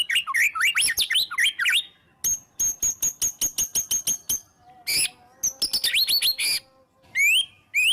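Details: White-rumped shama in full, emotional, open-voiced song packed with rapid 'tembakan' shot notes, used as a lure to make other shamas sing: bursts of high sweeping whistles, a fast rattling train of sharp ticks, then rising whistled slurs.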